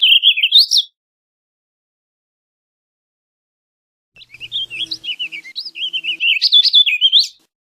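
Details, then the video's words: Warbling vireo, a North American songbird, delivering a hurried, looping warble; a brief phrase ending, a few seconds of silence, then a long three-second run of slurred notes ending on a high upturn. "Warbling Vireo Bird Singing, Calling, Chirping, Sound - Vireo Gorjeador Canto - Vireo Gilvus"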